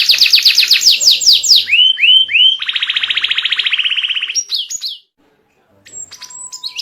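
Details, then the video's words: White canary in full song, a model for young canaries learning to sing: fast high descending sweeps, then a few lower slurred notes and a buzzy rapid trill, a brief pause, then sharp high chips. "Masteran kenari putih gacor ‼️ buat pancingan paud ikut bunyi"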